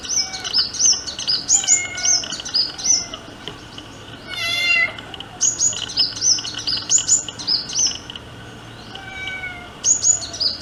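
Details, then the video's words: Courting sunbird giving long runs of sharp, high, twittering chirps. A brief buzzy trill sounds in the middle and a few lower whistled notes lie faintly underneath. "Sunbird - Courtship Song & Acts I Song of Sunbird"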